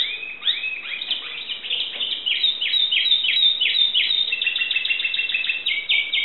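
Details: Greek Timbrado canary singing a long varied phrase: falling sweeps, then rapid repeated chirped notes building into a fast rolling trill.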